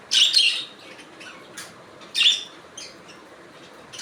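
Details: Budgerigar giving two loud, raspy squawking chirps about two seconds apart, with quiet chatter in between.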